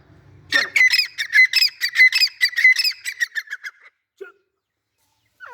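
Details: White Dhakni teetar, a rare pale variety of partridge kept as a pet, gives a loud harsh rhythmic call series. The grating, buzzy squawks repeat rapidly for about three seconds, quicken, then fade into near silence with faint scraps of sound.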